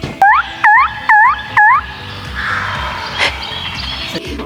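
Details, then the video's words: A wild turkey near a campground in Cades Cove, Great Smoky Mountains National Park, gives four clear, hooked, mid-pitched notes about half a second apart, followed by soft campground background noise. "Y'all hear that turkey?"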